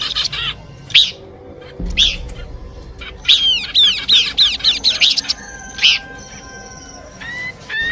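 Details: Horsfield's babbler song in a combined track made for luring birds: a run of quick downward-arching chirps, then sharp notes and thin steady whistles, with a faint low hum beneath.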